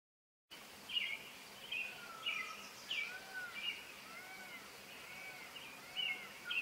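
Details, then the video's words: A robin sings short, bright warbled phrases in quick succession early on a summer morning, around 04:30. A softer, lower slurred whistle repeats underneath, probably another bird, over faint outdoor hiss. "Robin bird serenade"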